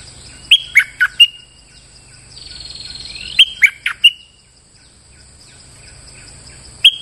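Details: Bulbul song played as a trapping lure: a four-note chirped phrase, a soft buzzy drawn-out tone, the same phrase again about three seconds later, then one closing note.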